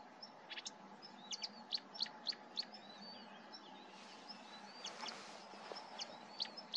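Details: Marsh warbler (Acrocephalus palustris) song at Starene bird station, 2023: a fast, uneven run of sharp chirps, trills and short whistled notes, about three per second, over a steady low hum.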